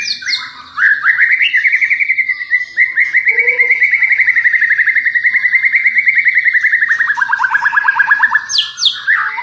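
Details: Caged champion white-rumped shama singing to provoke a reply from other shamas; a long rapid rattling trill held at one pitch for several seconds, dropping at the end, with high whistled notes before and after.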